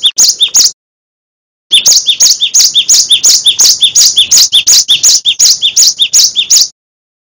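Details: Cinereous tit master song for songbird training. A short burst of sharp two-note phrases, a second-long pause, then a long, even series of the same bright, ringing phrase before it falls silent.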